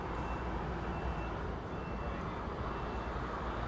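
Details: Loud low rumbling engine and traffic noise outdoors near an airport, with a faint steady tone and no animal voices.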